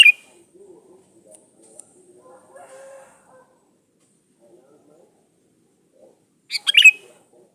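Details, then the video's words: Vigorous sooty-headed bulbul lure song: a clipped note at the start, a quiet stretch with faint low sounds, then one bubbly, chattering phrase near the end. "SUARA BURUNG KUTILANG GACOR SATU INI AMPUH BUAT SUARA PANCINGAN"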